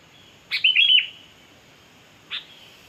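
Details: Sooty-headed bulbul lure recording meant to draw in birds: one full chattering, whistled phrase, then a lone sharp note after a pause of nearly two seconds, in otherwise still surroundings.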